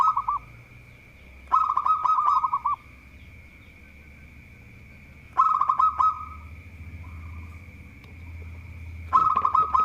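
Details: Vigorously singing local zebra dove, claimed to be good at provoking rival birds: three loud bursts of rapid rolling coo notes spaced several seconds apart, with soft low murmuring noise and a constant high-pitched whine between.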